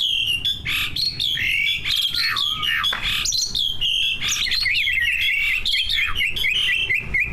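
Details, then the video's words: Competition greater green leafbird, one of two, in full mastered song meant to get other birds singing: a loud, continuous, varied warble of rapid whistles and trills, sliding up and down, with brief harsh notes, unbroken for seven seconds. "Kicau burung cucak ijo gacor, prestasi, full masteran. buat pancingan dijamin ikut Gacor"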